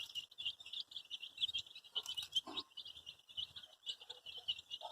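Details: A group of colour-dyed baby chicks calling for their mother: continuous high-pitched, rapid peeping from many birds at once, with a short louder scuffle midway.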